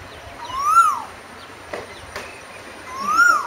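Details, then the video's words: Singing Asian koel: a pair of clear, upslurred whistles that drop away at the end, spaced roughly two and a half seconds apart, with a couple of soft clicks between them. "குயிலின் அமுத கானம் - 3 | Singing Asian Koel - 3"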